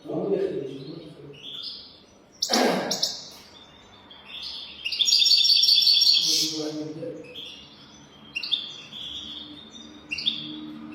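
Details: Song of a European goldfinch, 'golden throat' style, used as a teaching recording for young goldfinches; liquid twittering phrases alternate with a sharp click, a fast metallic trill, and faint murmuring voices in the background.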